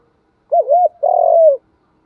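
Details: One phrase from a spotted dove used as a decoy to lure wild birds: a doubled, wavering coo rolls straight into a long, steady, mellow coo that slowly falls at its end. The surroundings are otherwise silent.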